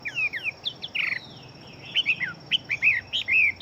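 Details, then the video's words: Fighting Chinese hwamei, a big-bodied bird said to sing very rapidly. Its song is a loose string of high whistled slurs and short chirps with brief pauses, over a steady faint hiss. "Họa Mi Chiến Siêu Mau Mỏ Bộ To Hót Tốt"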